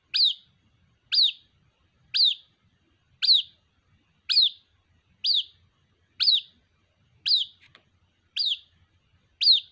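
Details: Ten evenly paced high peeps, about one per second, each a quick falling note, as a white-breasted waterhen chick calls for its mother.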